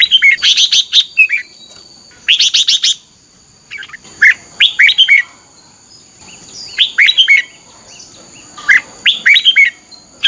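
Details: Morning competitive song of a red-whiskered bulbul in ché voice, used as a lure to train other birds. Short bright warbling phrases repeat every two seconds or so, with a faint constant high-pitched tone behind.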